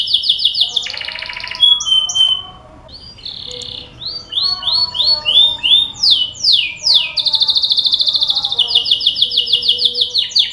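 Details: Lure song of a canary, played to get other canaries singing: a quick buzzy trill, brief pause, then series of repeated high upslurred and downslurred notes, closing with a long rapid rolling trill.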